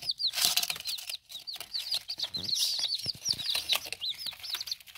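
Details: Young chicks in their first ten days, eating and drinking: constant high, downslurred peeping from a group, with clicking and scuffling in the background.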